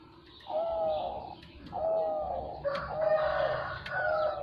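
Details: Zebra dove song: low, trilled coo phrases about half a second to a second long, repeated four times with short gaps. The later phrases overlap with higher chirps and clicks from other birds.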